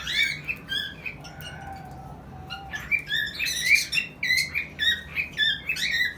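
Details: Cockatiel; mating call; courtship during breeding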